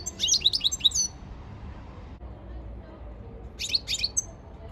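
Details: Training song of a European goldfinch, 15 February 2024: a short cluster of dense, high, buzzy twittering notes, then a long quiet pause before a second brief burst of rapid chirps.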